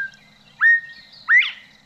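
A Northern Bobwhite gives two clear whistled notes, a level first note and then a sharply rising second, the familiar 'bob-white'.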